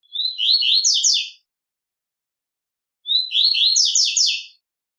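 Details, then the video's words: Double-collared seedeater singing the velox tui tui song style, used to stir fighting spirit in other birds: two high, fast phrases of rapid buzzy trilled notes, each about a second long, separated by silence. "Canto Coleiro velox tui tui para fibra"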